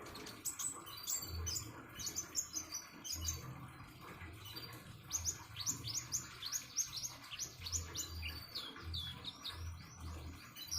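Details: Common iora (konin) singing beside trickling water: dense, rapid series of high, sharp chirps and short downslurred notes, with faint low bumps in the background.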